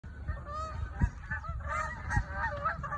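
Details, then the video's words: Geese flying over New Jersey, honking loudly: many overlapping nasal honks, mid-pitched with harmonic bands, in a dense continuous chorus, over rumbling wind or traffic noise. "New Jersey Geese Flying And Honking Loud Sounds"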